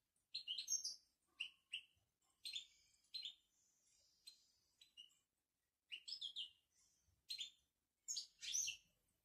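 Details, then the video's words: Moroccan European goldfinch singing in the style locally called "babtaba": bright, liquid twittering bursts of trills and buzzy notes, separated by short pauses and recurring about every second across the recording. "بتبتة الحسون المغربي"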